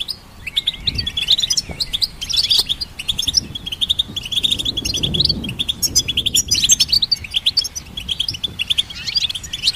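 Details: Goldfinch song for training songbirds, a lively, nearly unbroken twitter of high, rapid chirps and buzzy trills with a faint low rumble in the background.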